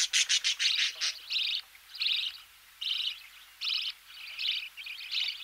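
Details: Budgerigar chicks being fed in the nest, recorded close: quick rapid pulses at first, then spaced raspy buzzing bursts about every second, with faint knocking behind.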